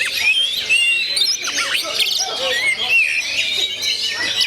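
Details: High, jangling song of an oriental magpie-robin in gondo mayit style, mixing clear whistles, buzzy slurs and quick chirps in an unbroken stream.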